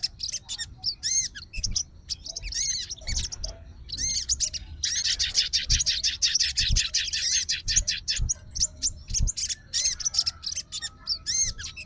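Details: Sooty-headed bulbul, a fighter type, answering another bulbul's voice as if challenging a rival; bursts of sharp chirps and bright slurred whistles separated by short pauses, faint low knocks in the background.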